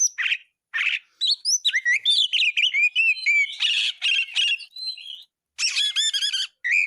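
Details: Oriental magpie-robin in steady song for tutoring birds: separate crisp phrases of clear upswept and downslurred whistles, buzzy chatters and a level whistled note, with short silences between phrases.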